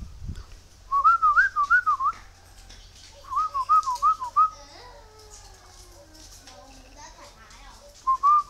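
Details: Wild-caught bird from Ba Vì mountain, Vietnam, trapped and tamed to take feed, singing: bursts of rapid, wavering whistled notes, two phrases of about a second each with a pause between, a third beginning at the end; quiet room background.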